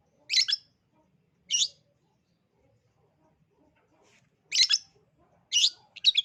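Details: Long-tailed shrike lure recording aimed at young birds: short, harsh, buzzy high bursts, two near the start, then a long quiet gap before three more grating notes in quick succession.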